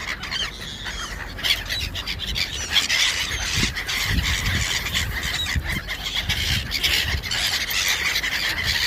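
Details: Feeding gulls at dinner: a dense flock of overlapping high squeals and squawks that run without pause, with sharp clicks and a constant low background rumble.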